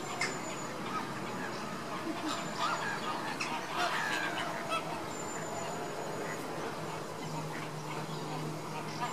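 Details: Caribbean flamingo at baseline activity: nasal, goose-like honks from overlapping callers, about three per second with irregular spacing, over a steady low hum and a faint high thin whistle.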